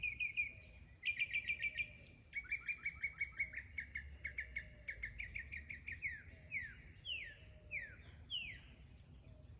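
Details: Mockingbird mimicking other sounds: a long, varied song of repeated phrases, from clipped chattering notes to sweeping downslurred whistles, each repeated several times before changing, over faint low background noise.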